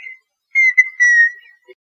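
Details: Red-winged tinamou singing: a clear whistled note near one pitch that swells, briefly dips, then holds steady and fades, with faint higher overtones, in a short burst of under two seconds.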